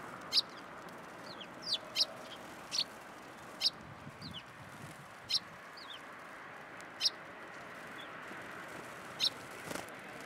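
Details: Many sparrows coming to be fed at a Tenmangu shrine, 10 January 2023: short, sharp, high chirps spaced about a second or more apart, with some fainter downslurred notes between them, over a quiet, steady background hiss.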